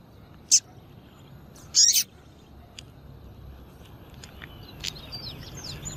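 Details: A female double-collared seedeater call to fire up males: one sharp high chirp, then a quick double chirp, followed by quiet with faint distant bird twitters.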